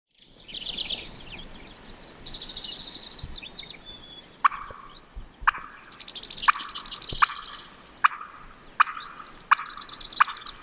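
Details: Wild Merriam's turkey hen clucking while crossing a road on Montana public land: sharp, abrupt clucks repeated about once a second through the second half, with songbirds chirping and trilling overhead throughout.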